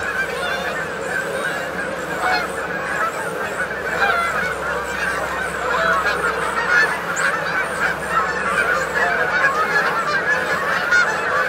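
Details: Crowded feeding flock of Canada geese, Maryland: constant layered honking and chattering from many birds, some sharper higher calls standing out, and a faint insect hum of crickets or grasshoppers beneath.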